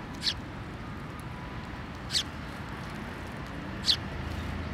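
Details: Sparrows coming to a post for food at a Tenmangu shrine, 1 December 2023: three sharp, high, isolated chirps spaced about two seconds apart, with a constant low hum of traffic behind.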